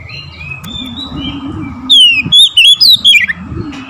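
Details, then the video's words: Oriental magpie-robin singing in the morning: after a quiet, faintly hissing background, one bright burst of loud whistled notes, sliding and warbling up and down, lasting about a second and a half. "OCEHAN KACER DI PAGI HARI"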